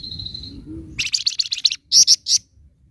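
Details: 'Nyecret' chatter of a scarlet minivet, played to stir untrained birds: a thin steady whistle, then a fast string of buzzy high notes and three loud piercing chips near the end.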